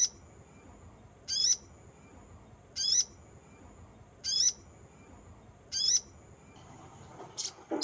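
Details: Sunbird lure call used to attract wild sunbirds: short, very high, sharp chirps with a quick sweeping whistle, repeated about every one and a half seconds over a steady high electronic-sounding hum, with brief handling noise at the end.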